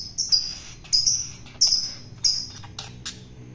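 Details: Hand-feeding a wild-caught long-tailed shrike to make it tame: repeated grating, high-pitched rasps at a steady pace of about one every two-thirds of a second, each starting sharply and fading.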